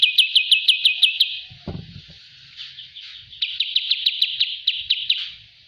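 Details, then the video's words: Bulbul song for training: a fast string of sharp chips, a faded buzzy stretch with a low thump, then the quick chipping resumes. "master Ampuh burung kapas Tembak"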